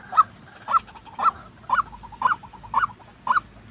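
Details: Genuine white-breasted waterhen call for training decoy birds in trapping; seven harsh rising notes about every half second, with soft quick notes filling the gaps.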